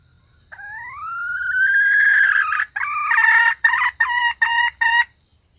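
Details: Female red junglefowl lure call for attracting males and other females: a long rising drawn note swelling in loudness, followed by five or six short, sharp cackled notes.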